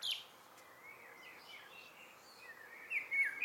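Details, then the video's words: A common blackbird sings in the evening, faint fluty whistled notes ending in a brief burst of high, squeaky twittering over a quiet outdoor background. "Abendgruß einer Amsel"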